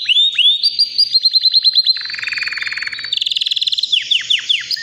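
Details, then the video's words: Healthy white canary of about three years, ready to breed, in powerful nonstop song: rising whistles, rapid chopped trills, a lower buzzy rolling tour, then falling sweeps at the close. "BEAUTIFUL WHITE CANARY NON STOP POWERFUL SINGING"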